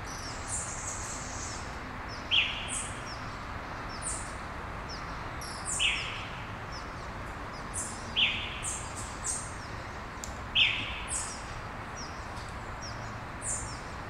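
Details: Birds at dawn in Brasília, Brazil: one bird repeats a short, sharp downward-slurred note every two to three seconds, standing out over a background of distant high chirps and twitters from other birds.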